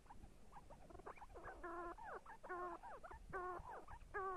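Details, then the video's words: See-see partridge calling in repeated short phrases of clear, layered whistled notes, some flat and some sharply bent, coming a little over once per second against low background rumble. "see see partridge sound кабги зирак"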